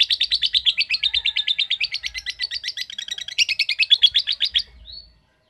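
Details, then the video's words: Lovebird giving a long trill of quick, harsh, high chattering notes, briefly rising in pitch and intensity near the end before stopping with a short thin squeak, then silence. "Cara Cepat Memanggil Love Bird Agar Ngekek Panjang"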